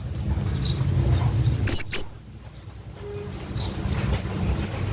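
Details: Hanging parrot calling for a companion: a pair of loud, piercing squeaks, then softer thin whistled notes trailing off, over a low droning hum.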